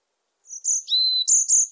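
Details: A varied tit gives bright, high whistles that switch between a shrill upper note and a longer lower tone. The notes run together in a quick repeated sequence against near silence.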